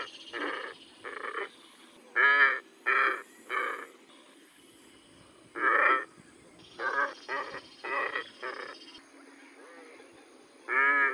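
Glossy Ibis giving about a dozen hoarse, nasal grunts in short irregular bursts, some doubled, over a steady background hiss.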